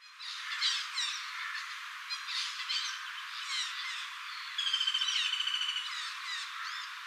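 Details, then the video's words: A female common flameback woodpecker in Singapore gives a fast, dry rattling trill of evenly spaced notes lasting about a second, among scattered high chirps and twittering from other birds. "Calls of a female flameback woodpecker"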